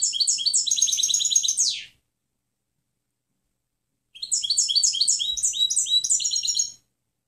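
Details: European goldfinch clean song (canto limpio) used for training other birds: two bursts of fast, tinkling, high twittered notes repeated several times a second, the first ending in a falling slur, with a long silence between.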